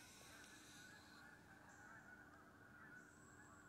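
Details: Morning geese on October 25th coming down onto a wheat pasture near a deer stand. A mass of honking calls merges into a dense chorus, with a few sharper, higher calls standing out.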